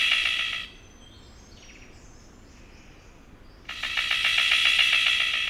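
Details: Male Golden Bowerbird near his bower, giving strange pulsing rattling calls as advertising to attract a female: two bursts of rapid buzzy rattling pulses, one at the start and one in the last two seconds, separated by quiet.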